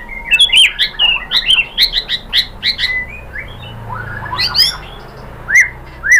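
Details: Murai batu, the white-rumped shama, singing a pancingan lure meant to provoke other birds to respond: loud clear whistled notes in a quick run, then softer descending slurs and two rising whistles at the end.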